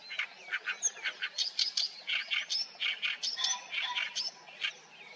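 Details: Oriental reed warbler in a reed bed at Haenam, Korea: a continuous stream of loud harsh chattering and croaking syllables, about ten per two seconds, varied in pitch with occasional whistled slurs.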